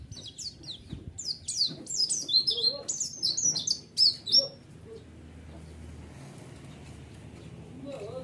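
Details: White-eye lure song to trigger a response: about four seconds of quick, high, thin chirps and slurred whistles, then near silence with faint low background sound.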